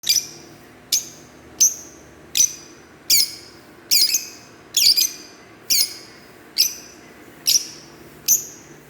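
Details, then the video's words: Green Fischer's lovebirds give sharp, high chirps repeated roughly every three-quarters of a second, some doubled or trebled, in a steady series. "Lovebird Singing & Chirping sounds -Green Fischerbirds"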